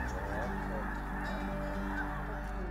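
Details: Dense chorus of a large flock of migrating snow geese at Freezout Lake glacial wetland, Montana, staging in spring: many overlapping nasal honks and yelps forming a continuous clamor.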